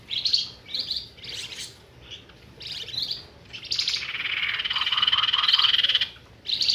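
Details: Flamboyan bird trapping lure. Short scratchy buzzy bursts give way to a long steady rattling trill with soft low whistled notes beneath, then a final harsh burst.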